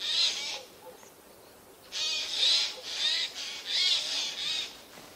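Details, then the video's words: Hoarse, tearing screeches from Eurasian jays hiding among spruces on 13 September 2024, one perched at the very top of a tree; one call, a pause, then a cluster of four rasping calls. "Голоса соек"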